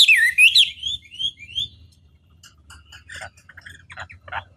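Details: Chinese hwamei lure song meant to provoke other hwamei into answering: loud, slurred whistles sweeping down and up for the first second and a half, then softer, scattered, varied notes.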